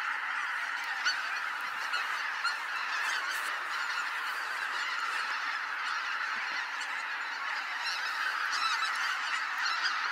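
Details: At daybreak on Kabukuri-numa marsh in Japan, a huge flock of wild geese lifts off; steady massed honking, many birds calling at once in an unbroken, even roar of nasal notes.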